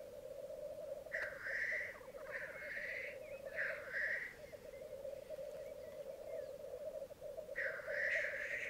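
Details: Black grouse lek, twelve cocks and two hens on a bog at Mykland, May 2022 at dawn hours: continuous low burbling rookoo with three quick hissing sneezes, a pause, then another.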